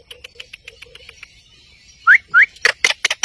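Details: Pet Indian ringneck parakeet vocalising at a mirror: a run of soft clicks, then two short upward-sweeping whistles, followed by a few harsh, noisy squawk bursts.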